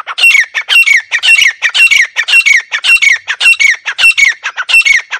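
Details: Grey francolin calling, a recording used as a hunting lure: loud, harsh, ringing phrases with a whistled note, given in quick succession almost twice a second for the whole stretch. No other clear sounds.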